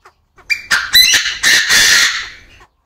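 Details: Crowing of a caged male Chinese francolin in an aviary. A short lead-in note opens into several loud, rasping, grating bursts over two seconds, then fades out. No other sounds are evident.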